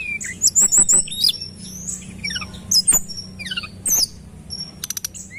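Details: Tledekan gunung singing as lure audio, with bright high twittering whistles, descending chains of short notes and a quick ticking burst near the end.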